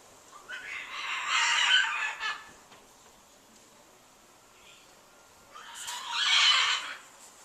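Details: Pet bird of large size kept on a back porch, January 2014, making persistent annoying cries: two loud, raspy, grating screams about five seconds apart, each over a second long, with quiet between.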